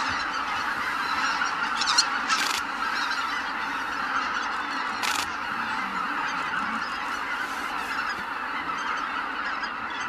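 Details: Large flock of greater white-fronted geese departing the roost, a constant wash of overlapping nasal honks. Two sharp broadband clicks break in around two and five seconds.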